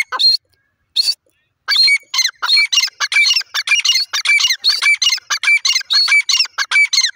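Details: Teetar, the grey francolin, calling in a dense, excited run of sharp, high squawking notes that quickly follow one another with clear whistled tones inside, after two opening notes and a short pause.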